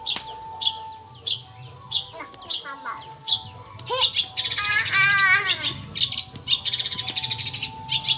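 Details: Long-tailed shrike singing in the evening, played as a lure to prompt other birds. Sharp high chirps repeat roughly every half second, then a run of buzzy, harsh rattling bursts with wavering whistled notes, over a steady low hum.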